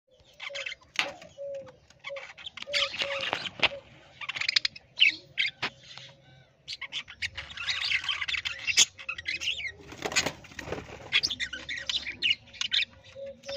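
A parrot gives harsh, raspy squawks in irregular bursts, some rapid and chattering, over a faint, steady low whistling tone.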